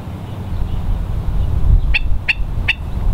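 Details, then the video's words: Hawaiian stilt, the ae'o (Himantopus mexicanus knudseni), on the West Loch shoreline at Pearl Harbor, Oahu, low tide, March 2013; after a quiet windy start, three sharp barking kek notes in quick succession. "Hawaiian Stilt, ae'o, Himantopus mexicanus knudseni"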